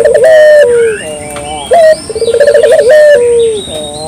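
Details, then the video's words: Spotted dove, a local bird, cooing clearly as a lure sound: quick pulsed rolls alternating with long level and falling coos packed close together, plus faint twittering from smaller birds. "suara burung puter lokal jernih paling ampuh untuk pancingan pagi siang malam"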